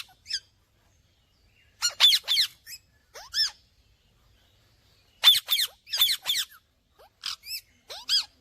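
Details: Scattered parrot chirps with long silent gaps: harsh little squeaks, some with downward-curving tails, come singly or in tight groups of three.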